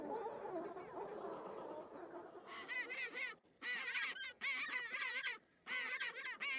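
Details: Chinstrap penguin colony in Antarctica, where chicks are raised on rocky terrain: a murmur of overlapping harsh chatter, then loud braying bursts of raucous, stacked harmonic calls arriving in bouts with short gaps between them.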